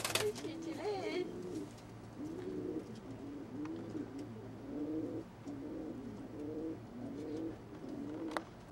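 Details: Pair of frill pigeons during mating, giving soft, low, repeated cooing phrases in bursts every second or so, over a steady low hum and some faint rustling clicks.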